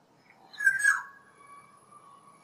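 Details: Wild Black-naped oriole giving one loud, rich fluty whistle that slurs downward, then a softer, steady whistle trailing off over a quiet background.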